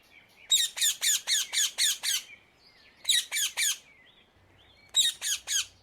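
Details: Wild rose-ringed parakeet flying free over the Netherlands: loud, grating shrieks in rapid series, a run of seven followed by two runs of three, each note harsh and rasping with short pauses between runs.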